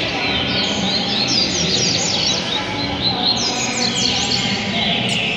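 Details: Double-collared seedeater singing in the buriti song style, from JPA, Rio de Janeiro: rapid high twittering chirps and quick slurred up-and-down notes in busy runs, over a constant loud broadband hiss.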